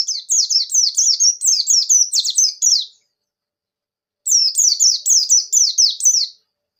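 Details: Ngerol nembak song of a wild-caught buxtoni Javan white-eye, used to make reluctant birds open their beaks and sing: a long fast string of high, descending chirps, a three-second gap, then another rapid string.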